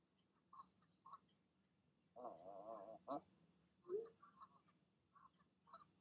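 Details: Goose parents on an evening nest urging their goslings to leap down: soft nasal grunting notes, then a longer wavering honk and a few quick clipped calls, with quieter short notes spaced around them.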